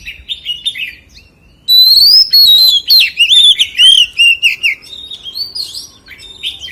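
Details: A white-rumped shama sings forest-style song, a long loud run of varied whistles, slurred warbles and quick notes, starting suddenly after soft whistles and tapering off.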